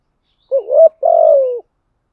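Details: One clean spotted dove cooing phrase, used to lure wild doves: a soft undulating note that rises, a short gap, then a long level coo that eases downward. There are no other sounds.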